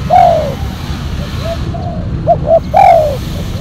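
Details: Spotted dove kept as a silver-coloured decoy with a black collar for luring wild birds, giving a long drawn-out falling coo, then softer short notes and a final short-short-long phrase ending in a descending coo; low background hum.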